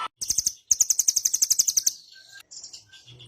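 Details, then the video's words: Nuthatch used as a tutor recording for songbirds, in a dense rapid-fire style: a fast, very high trill of about fifteen clipped, evenly spaced notes, then softer scattered chirps. "MASTERAN BURUNG RAMBATAN DORAEMON.tembak rapat"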